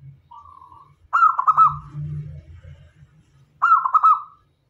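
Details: Local zebra dove used as a lure, singing actively: a short soft coo, then a rapid rippling phrase, a stretch of low rumbling noise, and a second rolling coo burst.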